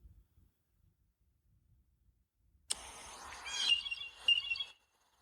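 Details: Blue Jay giving its "rusty pump" call: a harsh burst, then two clear, hollow 'doot' notes about half a second apart, with catbirds mewing like kittens nearby.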